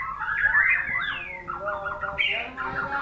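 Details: Short burst of white-rumped shama song: liquid slurred whistles, a clear descending note, then a higher bright phrase, over faint background noise.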